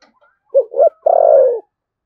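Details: Spotted dove, 'thổ sấm' voice in 'thúc gù' style, Đồng Nai, Vietnam: a single close, loud phrase of two short low coos and a long, slightly quavering coo that slopes downward.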